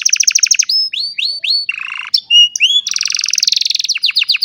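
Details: Old canary in full song on a sunny morning, recorded by cellphone: a quick trill, rising slurred whistles, a low buzzy note, sharp chips, then a long fast rattling trill and pulsed notes.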